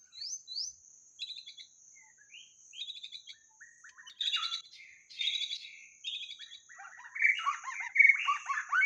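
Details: White-rumped shama song used as a decoy lure: varied phrases of clear whistles, rapid buzzy trills and chattering notes, rising in energy toward the end, over a steady high insect drone.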